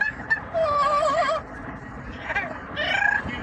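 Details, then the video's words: Commuting pet yellow-naped amazon parrot sings opera-like: a strong wobbling vibrato tone lasting about a second, then quieter rising squawky notes, all over low vehicle rumble. "the Parrot singing opera and making noise for the commute"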